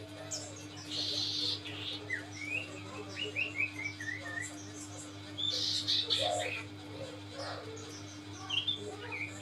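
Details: Common iora song meant to excite untrained birds: quick runs of thin upslurred whistles in descending series, bursts of buzzy chatter, and bright chirps, all over a constant low hum.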